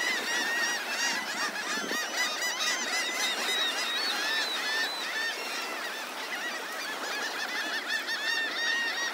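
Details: Large gathering of seagulls on the beach at Delnor-Wiggins Pass State Park, Naples, Florida, in the morning; dense overlapping chorus of nasal, arched, harmonic calls, many birds calling at once without pause.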